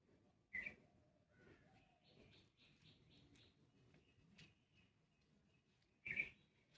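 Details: Common myna parents nesting in a dead areca palm give two loud, harsh distress screeches about five seconds apart, with softer chirps and thin whistles between, calling to their fallen, shivering chick placed in a basket in the sun.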